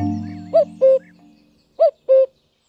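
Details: In spring, a male Common cuckoo gives its two-syllable call, usually from a high perch, to attract a female and drive off rivals. Two mellow, hooting cu-coo phrases each drop from a higher note to a lower one, after fading background music.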